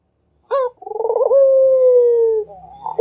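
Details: Single Barbary dove coo: a quick opening note, a throbbing roll, then a long, level-to-falling hum lasting about a second, and a soft tail before the next coo begins.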